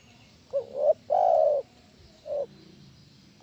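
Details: Spotted dove call used as a lure to make other doves answer: three low, hollow coos, the first rising, the middle one longest and steady, the last short, over a faint background hum.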